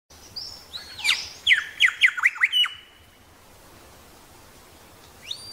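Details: Grey shrike-thrush in Tasmania giving a loud phrase: a rising upslur then five quick ringing notes sweeping down from about a steady high tone, over a second and a half, followed by quiet and a faint later note.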